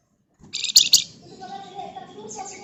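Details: Flamboyan bird bursting into gacor song after a moment of silence: a loud harsh double note, then a run of thin warbled whistles and high twitters.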